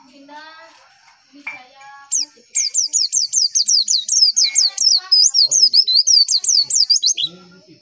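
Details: After a few soft lower harmonic notes, a Javan white-eye launches into a long, steady stream of high, rapid, wavering chirps, nearly three per second for five seconds, ending with a brief lower note.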